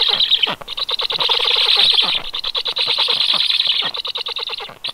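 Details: Stork chicks calling: a dense, rapid stream of harsh, rasping, high-pitched notes, many per second, with brief pauses, loud and continuous throughout.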